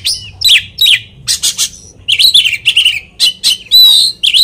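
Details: Oriental magpie-robin singing to provoke a rival, loud and varied: harsh chattering bursts mixed with whistled slurs and ringing notes, with a low steady hum in the background.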